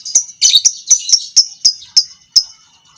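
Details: Lovebird, fighter type, heard as masteran for teaching other lovebirds long ngekek: rapid series of sharp high chips, about four per second, bunched at first then spacing out and fading.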